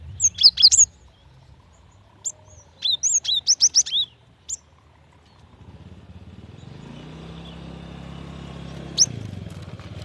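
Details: Calls of a female cinereous tit summoning a male: clusters of bright, high chirps that drop sharply in pitch, a pause, a lone note, then rising engine-like background rumble and one final chirp.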